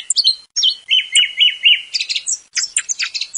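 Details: Thrush sound meant to lure thrushes for hunting: high squeaky notes, then four similar whistled phrases repeated about every quarter second, followed by rapid scratchy twittering bursts.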